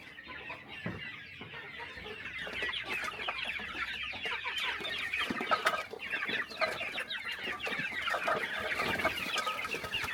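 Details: Morning feeding on a small countryside chicken farm: many chickens murmuring and clucking in a continuous busy chorus, with occasional louder short notes and light knocks and rustles throughout.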